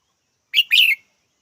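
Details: Red-whiskered bulbul giving a single bright two-part call: a short chirp, then a longer, slurred, warbling note falling slightly at the end. Quiet otherwise.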